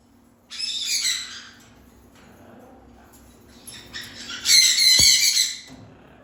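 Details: Parrot calls in two bursts of harsh, buzzy squawking, a short one first and a louder, longer one about three seconds later, with a sharp knock during the second burst.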